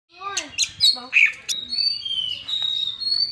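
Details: Oriental magpie-robin singing a sweet, varied phrase of slurred whistles and bright notes, ending in drawn-out high whistles.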